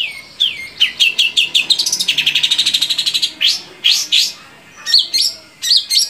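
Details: Long-tailed shrike song aimed at making caged shrikes sing: slurred whistles leading into a fast, even trill of about twenty notes, then scattered loud upslurred and downslurred calls.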